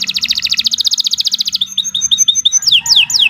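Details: Canary (kenari) song used as master training material for other songbirds, recorded on a Saturday morning: fast rolling trill of repeated high notes, then a series of sweeping whistled notes rising and falling, with faint low hum beneath.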